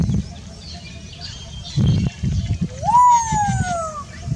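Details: African grey parrot giving a single loud whistle that sweeps sharply upward, then glides slowly downward for about a second, rich in overtones, over low rumbling background noise and faint murmuring.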